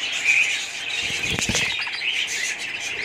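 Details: High, busy warbling from budgerigars, overlapping chirps throughout, with a burst of soft clicking or fluttering sounds in the middle.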